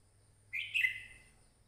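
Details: A single short, bright chirping phrase from a red-whiskered bulbul, a crested songbird, with two quick whistled notes that blur together and then trail off. A faint low hum sits underneath.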